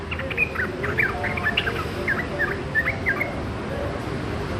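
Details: A young yellow-vented bulbul learning its gacor song gives a run of short, slurred whistled phrases, rising and falling in quick succession against a constant hiss.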